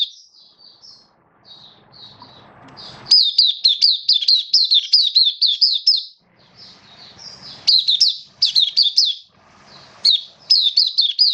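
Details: Caged oriental white-eye known as Kitaro, form dipped a little, opens with soft quiet notes, then launches loud rapid runs of high, wavering whistled notes in repeated bursts over a faint hum.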